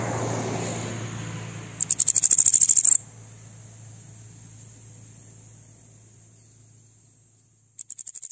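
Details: High, hurried bananaquit phrase of about fourteen sharp ticking notes, an aggressive song for firing up other birds, then a long pause and the start of another burst; steady thin whine underneath.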